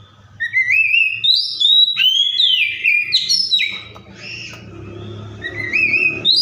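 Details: An Oriental magpie-robin sings a varied run of clear rising whistles, slurred notes and harsh chatters, mimicking phrases of other birds, with a faint low hum beneath.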